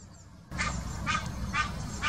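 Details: Egyptian goose calling during mating in the Wittlicher Senke, 2018. After a short quiet lead-in come four harsh, nasal honks about half a second apart over a low background rumble.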